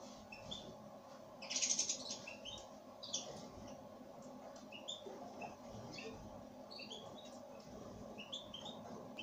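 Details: Pine grosbeak giving short, high chirping call notes scattered across the recording, with one louder burst near the start and fainter notes after it, over a steady low background hum.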